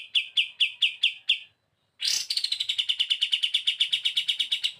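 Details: Kapas tembak in full bren beset song: six measured bright chirps, a brief silence, then a sudden harsh downward burst becoming a fast, continuous chain of chattering notes.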